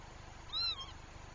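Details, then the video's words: A Northern lapwing, one of a pair distressed over their chick and driving it away from herons, gives one nasal, wheezy call that rises and then falls, over a faint low rumble. "Töyhtöhyyppäpari on hädissään poikasestaan"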